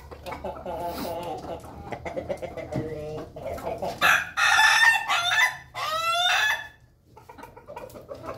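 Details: Ayam Ketawa chickens, a flock eating together in their coop: soft overlapping clucks for four seconds, then loud harsh crowing bursts with ringing harmonics, a brief pause, and a second rising-falling crow.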